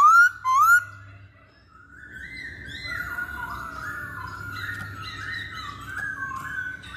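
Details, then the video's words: Masked laughingthrush, a caged lure song for trapping, opening with two loud rising whistles near the start, then a quieter run of wavering, overlapping whistled phrases from several birds. "Pancingan Poksay Hongkong"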